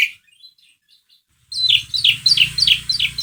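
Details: Asian pied starling used to coax another bird into song: faint whistles, then a rapid series of sharp, descending chirped notes over a low steady hum.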